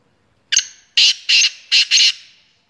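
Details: Black francolin, locally kala teetar, featured for its fast calling: a crisp series of five loud, harsh, scratchy notes, the first sharp and short, the rest longer and grating, delivered briskly in a quiet setting.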